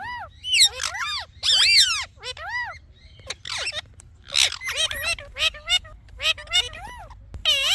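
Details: Talking parrot chirping in a varied stream of arched, whistled notes and harsher squawky bursts, irregularly spaced, some rising and falling in pitch, with brief buzzy fragments between.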